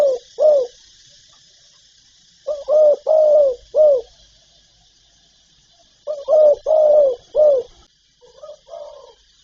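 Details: Spotted dove (cu gáy) from a full repertoire of calling, urging and cooing, meant to rouse other birds. It gives repeated bouts of three or four mellow coos, each bout a few seconds apart, with constant insect buzzing behind.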